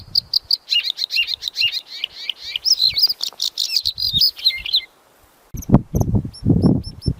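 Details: Black sunbird song: a rapid, jumbled run of high twittering notes with swift rising and falling slurs for about five seconds, then a pause followed by low handling thumps.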